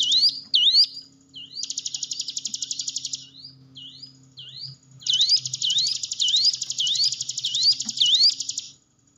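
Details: Hill prinia song serving as a lure to stimulate cage birds to sing. Bursts of rapid buzzy trill alternate with swooping whistled notes that dip and rise, about two per second, then fade.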